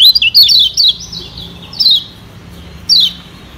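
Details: Lemon-bellied White-eye (Lombok yellow white-eye, kecial kuning), used as a lure to stimulate other birds, gives quick bursts of high, thin, sweet twittering notes that slur downward, in three phrases over a few seconds with a faint low hum beneath.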